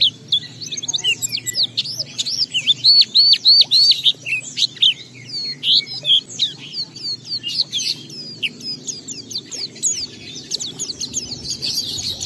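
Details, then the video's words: Oriental white-eye in emotional ngalas song to draw other white-eyes into singing: a rhythmic series of loud, repeated upslurred whistles about three per second, then dense rapid twittering that carries on steadily. "Pleci Bahan Segera Ngalas Nembak dan Bongkar isian setelah diperdengarkan pleci gacor ini"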